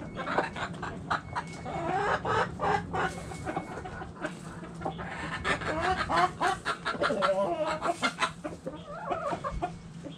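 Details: Backyard chickens, hens and roosters in the coop, busy overlapping clucking from many birds with irregular rhythm and a constant low hum beneath.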